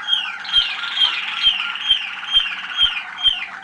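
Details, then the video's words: Young Waterslager (Malinois) canaries hatched in 2010, recorded at a listening session on 25 November 2010, singing a rolling, bubbling song with a clear descending whistle repeated about every half second over a continuous trill, with soft ticks below. "канарейки . waterslager. malinois."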